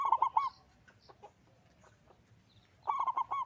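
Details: Local zebra dove in full, loud song. A quick rolling string of four or five mellow coos ends at the start, then after a gap of about two seconds another bubbling phrase follows. Faint high twitters from other birds run in the background.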